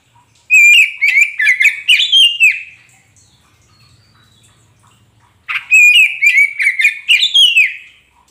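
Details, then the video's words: Repeated song phrases from a kacer poci magpie robin meant to make a quiet caged bird answer: two bursts of roughly eight quick, rasping whistled notes each, separated by a faint low hum. "Pancingan untuk Kacer poci macet bunyi pasti nyaut"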